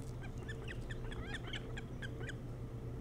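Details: Nesting osprey on Hog Island near Bremen, Maine, on a nest camera in the early morning of 3 July 2018: a rapid series of short, sharp chirping whistles, about six per second, over a low steady hum.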